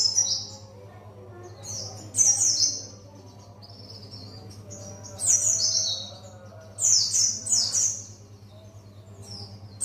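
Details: Buxtoni white-eye rehearsing the wild ngalas style with scattered bursts of piercing, high, falling twitters and softer short whistles between, over a continuous low hum.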